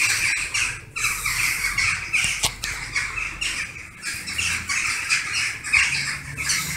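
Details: Western jackdaws gathering in large numbers at a favourite evening roost in August, circling noisily above dense foliage; a continuous dense chorus of harsh overlapping squawking calls with no pauses, plus faint wingbeat-like rustles.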